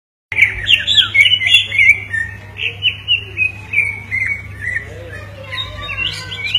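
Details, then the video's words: Two greater green leafbirds singing and answering each other: varied whistled and chattering phrases, loud at first then softer, over a steady low hum. "dua burung cucak ijo berkicau bersahutan"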